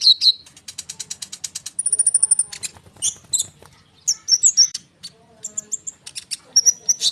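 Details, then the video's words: Konin bird singing a lively, dense rolling song used as a lure for sunbirds: rapid high chirps, a buzzy run of repeated notes, then sharp whistled upslurs in quick bursts. "konin gacor ngerol suara rapat untuk pancingan kolibri"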